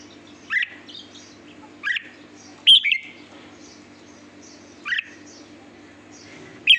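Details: Red-whiskered bulbul giving single clear whistled notes that rise then drop, spaced one to two seconds apart, with soft distant chirps behind and a low constant hum.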